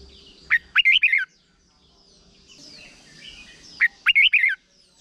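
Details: Caged Thai red-whiskered bulbul singing its short doubled song, played to young birds for copying. Two crisp phrases of five fast, rising, bubbly whistles arrive about 3.3 seconds apart, with faint background birds between.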